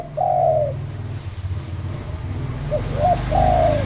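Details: Local spotted dove in nonstop song meant to lure rival birds: a long level coo, then a short stuttered pair of notes and another drawn coo, over a constant low rumbling background noise.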